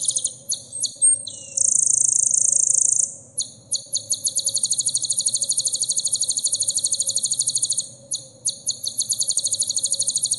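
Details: Sunbird song used as masteran material to teach caged birds: very high, rapid buzzy trills in bursts, one long steady buzzing note near the start, then a long fast chattering run of repeated notes that breaks off and resumes.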